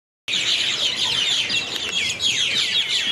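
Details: Many birds chirping loudly at night from a single tree in town at Airlie Beach, 2024: a dense, unbroken wall of high, shrill, overlapping chirps starting abruptly after brief silence, with no gaps between callers.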